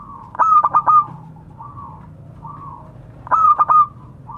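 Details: Calling zebra dove of a local strain, summoning companions. Two loud phrases of quick stuttered coos with a ringing tone are separated by several soft, level, humming coos further off.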